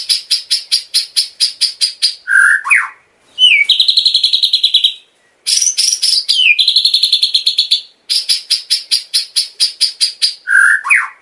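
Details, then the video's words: White-rumped shama song offered as training material for caged birds, for daily tutoring and contest preparation. Rapid runs of sharp high repeated notes, a low whistled slur, then long buzzy rattling trills. The sequence repeats twice with brief pauses, on a clean background. "SUARA MURAI BATU|| ISIAN LENGKAP DAN RAPI"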